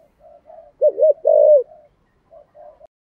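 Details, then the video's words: Spotted dove singing the 'giọng thổ' style of call, a voice said to suit decoy luring. Soft lead-in notes build to a loud wavering coo followed by one long drawn-out coo, then quiet trailing notes. "Tiếng cu gáy giọng thổ gáy gọi Hai Hậu giọng hay và hạp bổi"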